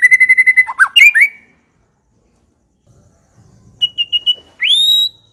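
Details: White-rumped shama giving a fast series of identical repeated notes and swooping whistles, a long silence, then three short high notes and a rising whistle that holds steady.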